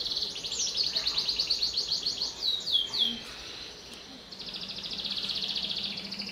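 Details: Constantly singing canary, a lure song for young birds: quick trill with looping downward sweeps, followed by a softer, buzzier rolling trill over a faint low hum.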